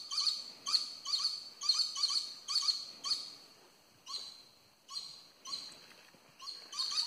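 A violet-necked lory gives harsh, high, rasping screeches, first in quick runs of about two a second, then in more spaced single shrieks.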